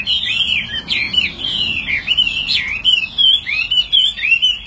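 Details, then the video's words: Loud song from a tame caged Chinese hwamei known as a good fighter: sweeping whistled notes that rise and plunge, broken into lively phrases with brief pauses. "Chim thuần 200%,Sách tay lắc lồng hót hét mọi địa hình,Chim đấu tốt"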